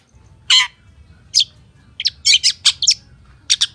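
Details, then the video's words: Long-tailed shrike singing actively in the full-fill style: harsh, scratchy bursts and short chirps in irregular clusters with gaps of up to a second, the densest run of rasping notes near the end; faint low hum underneath. "SUARA PENTET GACOR FULL ISIAN || CENDET GACOR"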